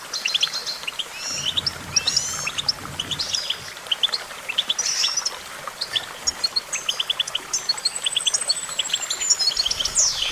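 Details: Lively goldfinch song running for about ten seconds: dense chattering bursts, repeated short note clusters and a long thin descending whistle near the end, with soft background noise.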